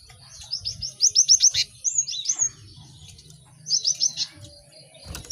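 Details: Cinereous tit song from a lively practice recording for caged birds: a fast series of about eight sharp downslurred chirps, a couple of slurred whistles, silence, then four more quick chirps and a final high note.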